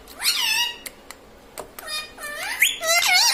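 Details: Household talking parrot, known for mummy, papa and mitthu; curving harmonic syllables that rise and drop, with soft ticks between, ending in a loud run of bending, voice-like notes.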